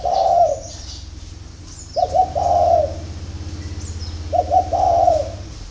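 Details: At a dove farm in Ba Vì, Hanoi, Vietnam, a spotted dove sings in the early morning: three soft, rolling coo phrases over a steady low mechanical hum, with faint chirping higher up.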